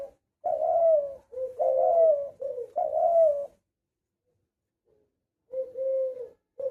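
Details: Series of soft, mellow coos from a spotted dove kept as a hunter bird, several linked notes in a burst, then a pause of two seconds before more coos resume.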